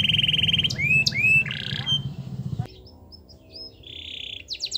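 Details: Canary song used to stimulate other canaries to sing: a buzzy trill, rising whistled slurs and a harsh burst, then soft scattered chirps and a quiet buzzy trill after a pause, with low hum early on.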